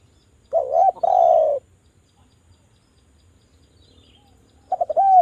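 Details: Spotted dove lure call intended to make doves sing: a long wavering, purring coo that drops slightly in pitch, then quiet with a faint hum, and finally the stuttering start of the next phrase.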